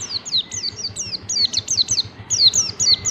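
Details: Pleci (white-eye) ngalas-style song recorded to teach caged birds: a dense, energetic stream of quick, shrill, downward-slurred whistles, repeated several times per second throughout, with faint low rumble.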